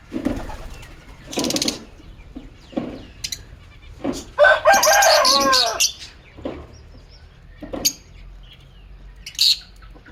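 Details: Pet lovebirds in an aviary chirping and singing: scattered harsh chirps, then a loud burst of rapid, buzzy, warbling chatter around the middle, followed by a few sharper squeaky notes against a low background hum.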